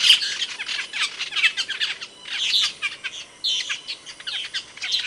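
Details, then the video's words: Asian glossy starling from Indonesia, a songbird kept for tutoring other birds, giving loud, sharp chirps: dense bursts of high squeaky notes and rapid twittering, with short pauses between clusters. "Suara Kicauan Burung Cucak Keling, Panggilan"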